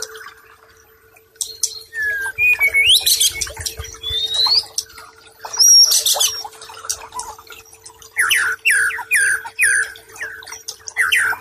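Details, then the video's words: White-rumped shama song on a tutoring recording meant to soothe stressed birds that have stopped singing: sharp rising and falling whistles, then a run of quick repeated downslurred notes near the end, with a steady low hum throughout. "Masteran Sekaligus Terapi Brainwave Murai Batu Stress Dan Macet Bunyi"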